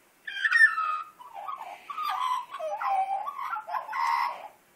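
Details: Wild Australian magpie coaxed to sing for its breakfast, delivering a loud carolling run of fluted, warbling notes that slide and step downward in several linked phrases over four seconds.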